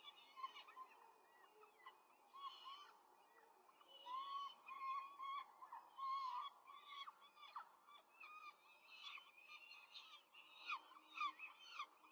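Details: Four peregrine falcon chicks are fed by an adult at a nest in Rome, 5 May 2023; strident, drawn-out wailing cries mix with short, sharp chittering notes repeated in clusters throughout.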